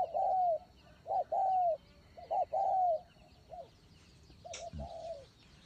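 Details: Spotted dove kept as a decoy bird, giving low, mellow hooting coos in short repeated phrases, some with a drawn-out falling note, then a softer final phrase; a sharp click near the end and faint high chirps behind.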